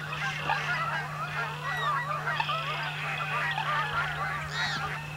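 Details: American coots, gregarious wetland birds of a crowded marsh, noisy and aggressively territorial; many overlapping honking and clucking calls fill the clip, with a steady low hum underneath.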